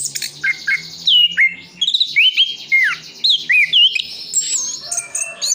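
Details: Orange-headed thrush from Sidoarjo, East Java, singing a full song packed with imitated phrases. Sharp rising and falling whistled notes alternate with high chirps and short buzzy bursts in a quick, varied sequence.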